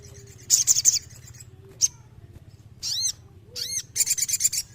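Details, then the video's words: Sooty-headed bulbul for songbird therapy: a buzzy chattering burst, a lone note, then paired arched whistled chirps rising and falling, ending in another rapid chattering run. "TERAPI SOGON GACOR UNTUK BURUNG KURANG EMOSI"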